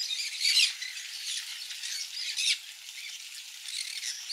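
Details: Captive conures eating mealworm egg food: a loud grating squawk early on and another near two and a half seconds, set against constant scratchy background chatter.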